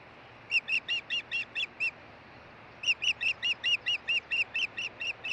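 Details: Midday, 16 June 2013, Hellgate, Montana: an osprey at the nest during a changeover and stick delivery gives seven rapid whistled chirps, falls silent, then starts a steady run of about twelve more.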